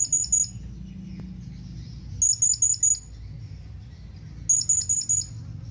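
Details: Calls of a blue-crowned hanging parrot reaching out to companions: short bursts of three to four sharp, high-pitched tsit notes in quick succession, repeated roughly every two seconds over a soft low hum.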